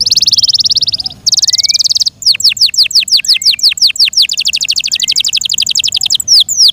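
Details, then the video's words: Yorkshire canary song: two bursts of rapid buzzing trill, then repeated downward-slurred whistles and a fast rolling trill, ending with sharp swooping notes. "THE BEAUTIFUL SOUND OF FI YORKSHIRE CANARIES"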